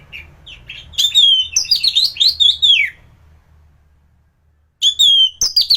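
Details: A thrush (anis) in peak singing form, its song used as a master for training other thrushes: loud, varied whistled and slurred phrases for two seconds, a silent pause, then a renewed burst of high, sweeping notes.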